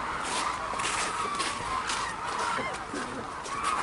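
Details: Hooded and White-naped cranes gather at Arasaki Crane Center, Kyushu, Japan, in a rare snowy landscape. Many birds give overlapping trumpeting calls, some clear and ringing, with a steady murmur from the flock behind them.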